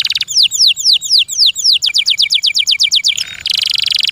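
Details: Canary, a kept bird, singing loud downslurred whistled notes about four per second, then a faster run of similar notes, ending in a short low note and a high buzzy roll.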